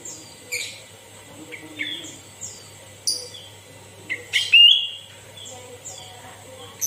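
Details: Lively sooty-headed bulbul singing, offered as a tutor voice for captive bulbuls: a string of short whistled and chirping notes, several sliding downward, spaced about every half second to second, with one loud rich whistled phrase near the end.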